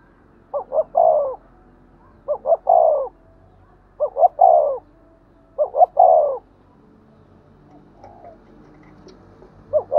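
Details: Spotted dove giving 'thúc gù' coos, used to stir decoy doves into calling. Four stuttered-then-drawn-out phrases, followed by a quiet pause and the start of another phrase at the end.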